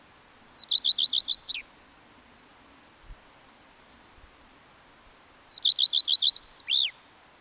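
Common redstart singing two short, high phrases about five seconds apart: a quick run of repeated sweet notes ending in a twisting, twittery flourish. Otherwise quiet.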